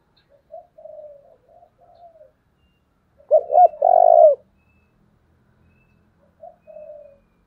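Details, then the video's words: Decoy spotted dove giving its urging call to provoke wild doves: soft, low murmured coos, then one loud phrase of two short hoarse notes and a long, drawn-out burred coo, followed by fainter coos. "Cu mồi thúc vầy chịu gì nổi"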